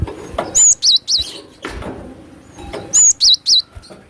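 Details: Strong wild cinereous tit call for luring birds: two crisp phrases, each a level high whistle followed by two wavy lower notes, about two and a half seconds apart, with light rustling between.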